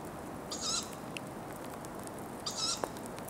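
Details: Two wheezy, sibilant, high calls from a tawny owl in Ostankino park, about two seconds apart, with a faint click and steady low background rumble.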